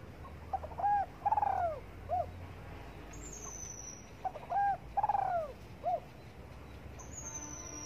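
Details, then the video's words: Spotted dove basking in morning sunshine, cooing twice: each phrase has quick soft notes, a long falling warbled coo and a short closing note; high thin whistles of another bird follow. "Cu Đất Gáy Gù Phơi Nắng Sáng"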